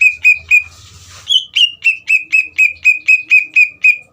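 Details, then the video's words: Greater green leafbird singing to goad another leafbird into replying: a steady string of bright, ringing whistled notes repeated roughly four times a second, with a short rushing noise and faint low thumps near the start. "PANCINGAN CUCAK IJO GACOR UNTUK CUCAK IJO BAHAN BIAR EMOSI DAN LANGSUNG NYAUT"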